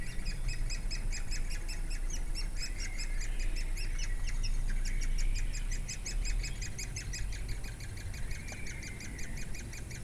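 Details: Woodpeckers feeding their chicks in Durmitor National Park on 6 June 2017: about four sharp, high chirps per second in a sustained, somewhat uneven chattering chorus, with a low rumbling background throughout.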